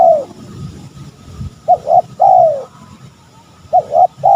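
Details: Cooing spotted dove from a recording meant to attract fighting males: a trailing coo, then a paired note and a long falling coo, repeated after a pause, with steady low hum behind.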